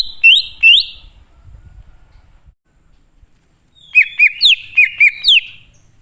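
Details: Wild greater green leafbird song used as a lure for wild birds: two loud upward-sweeping whistles, a pause with faint low rumble, then a quick series of six bright, rising whistled notes.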